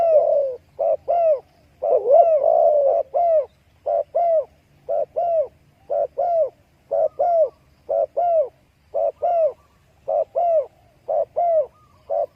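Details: Spotted dove giving a long run of short, soft coos, mostly in pairs and triplets with brief pauses, one longer rolling coo early on, repeated steadily for over twelve seconds.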